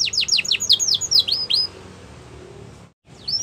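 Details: Canary song used for training: a fast run of loud, steeply falling whistled notes, about eight in quick succession, then a few higher slurred notes, followed by a quiet pause and one final rising-falling whistle.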